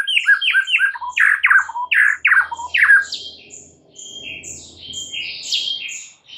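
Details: White-rumped shama singing in the morning, loud descending slurred notes in a quick series, then softer high chips with a faint low hum.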